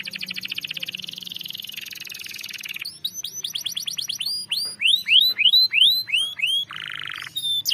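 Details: Canary song used as a lure to prompt a silent caged canary into long rolling 'ngerol' song: a fast buzzy trill gives way to a run of loud rising whistled slurs repeated about three per second, ending in a brief harsh note.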